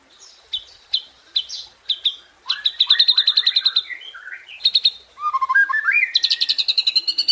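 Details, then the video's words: White-rumped shama (murai batu) performing 'tembakan' and 'isian' song: sharp clipped whistles spaced half a second apart, then a fast pulsing trill, low chuckling notes and a final rapid, buzzy high rattle. "Dahsyaaatt Tembakan & Isian Murai Batu // AmAzing Bird chirping like no tommorow"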